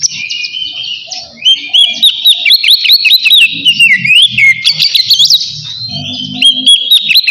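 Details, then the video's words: Oriental magpie-robin in loud, open ngeplong style song, used to call a rival and lure other birds into singing: continuous rich whistles sliding up and down, with fast varied phrases and scattered high sharp notes. "suara kacer ngeplong manggil lawan"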